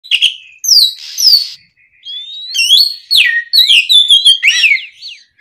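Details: Oriental magpie-robin, a vigorously singing bird in the afternoon, used as a lure to make other magpie-robins answer and sing: loud varied whistles, sweeping slurred notes and buzzy bursts in quick, irregular phrases with short pauses.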